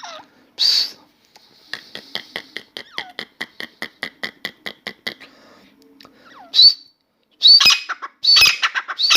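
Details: A newly acquired captive grey francolin, kept indoors in a room and calling continually, gives a steady run of sharp, high repeated notes, about four a second, then loud harsh squawking bursts.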